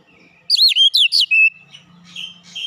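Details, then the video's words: Oriental magpie-robin, said to have a fighter character, giving four loud looping whistled notes in one second, then a softer sustained whistle fading out. "Kacer bahan cepat keluar karakter fighter"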